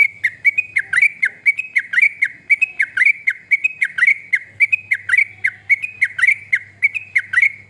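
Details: Bulbul known locally as trucuk, in song meant to spur other birds into singing: a steady, long run of bubbly, slurred whistled notes, almost continuous, against a quiet humming background.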